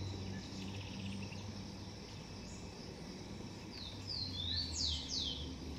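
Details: Garden nest of a Blond-crested woodpecker: faint distant chatter, then near the end a short burst of high whistles ending in two or three loud falling slurs over low hum.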